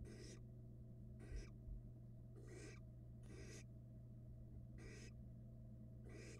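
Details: Two barn owl nestlings in a Florida nest box eat rats; six rough, breathy hisses, each under half a second, recurring at irregular intervals about a second apart over a faint continuous hum.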